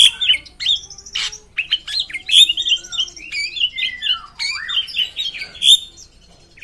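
A drongo sings a long, varied run of harsh squawks, metallic chirps and sliding whistles, with barely a pause, indoors.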